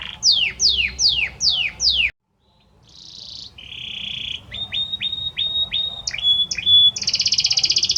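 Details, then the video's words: Male Belgian canary singing to a female: five loud downward sweeps, a brief silence, then buzzy phrases, clipped repeated whistles and a bright rapid trill at the end. "Canta muito este Canário Belga para sua Fêmea - Canary Singing"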